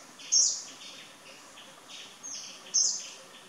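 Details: Indian blackbird (Turdus simillimus) giving thin, very high, sharp call notes, two louder ones about two and a half seconds apart, with softer chirps between.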